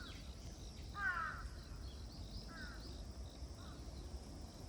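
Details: Bird in rice fields in October: a harsh, hoarse cawing call near the one-second mark, a shorter rasping caw about a second and a half later and a faint third note, over steady low rumbling background noise.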